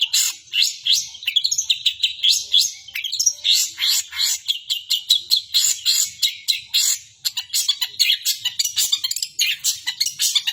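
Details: Long-tailed shrike song copying the 'kapas tembak' call of another bird: a steady, fast stream of sharp chirps and short buzzy notes that runs on without pause for ten seconds.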